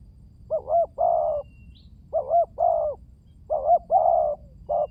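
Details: ['Spotted dove cooing as a lure: four phrases in quick succession, each a short double note and a longer hollow coo, clear against a quiet background.']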